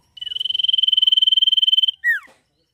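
A small songbird gives a long, even, high trill of rapid pulses for nearly two seconds, then a single sharp downslurred note.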